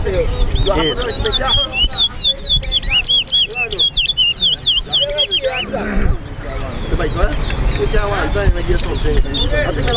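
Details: Lesser seed finch (towa towa) competing in a singing race at a bird ground in Lusignan, Guyana; rapid, looping whistled phrases in a dense run, then fainter song behind a man's loud counting and crowd noise.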